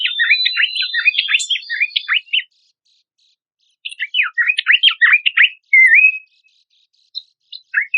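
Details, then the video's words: Horsfield's babbler master material for contest songbirds: a dense tumble of steep downslurred chips and squeaks, a pause, another fast chattering burst, one flat whistled note, and a few final chips. "PANCINGAN AMPUH PELANDUK SEMAK MASTERAN"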